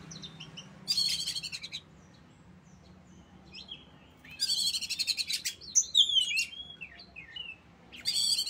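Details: Oriental magpie-robin singing loud bursts: short rattling phrases broken by quiet gaps, then a mix of sharp whistled notes and chatter, with a faint low background hum.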